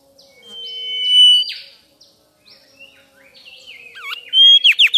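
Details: Mangrove whistler (Pachycephala cinerea) chirping: a swelling steady whistle with a down-swept end, quieter wavering and bending notes, then a burst of loud, rapid sharp sweeping notes at the close.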